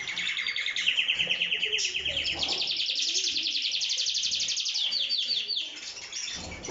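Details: Canary in strong song; long fast rolling trills of rapidly repeated notes, shifting in pitch, with chirps layered over a faint background.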